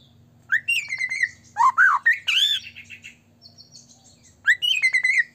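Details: Energetic white-rumped shama song meant to stir rival shamas to sing: bursts of slurred whistles, rising and falling notes and a buzzy, arched phrase, with short gaps between loud phrases and faint high twitters.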